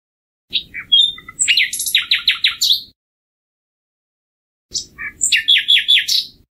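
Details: Common nightingale singing in the summer season: varied high phrases opening with scattered chirps, then fast repeated sharp descending notes, a pause of nearly two seconds, and a second similar phrase of chirps and rapid strokes.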